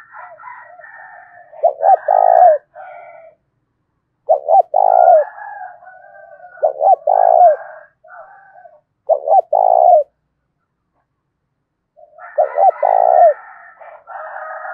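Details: Spotted dove 'thổ' voice challenge call used to goad wild doves and decoy birds: five low, rhythmic coo phrases of stuttered short notes and a drawn ending, spaced by pauses, overlaid with faint higher warbling.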